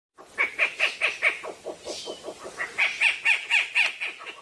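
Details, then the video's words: An unidentified bird giving a rapid run of harsh, nasal, squawking notes, about four per second, with a brief pause midway before the series resumes; no other sounds. "suara burung apa ni bosqu"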